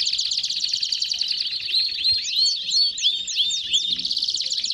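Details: Belgian canaries singing a fast rolling trill that gives way to bouncy, looping whistled phrases, then back to rapid high chirping.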